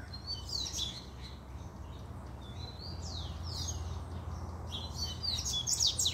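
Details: A puxada from an excited Double-collared seedeater: thin high notes, a long clear descending sweep near the middle, then a closing flurry of rapid bright trilled notes, with a soft low droning hum underneath throughout.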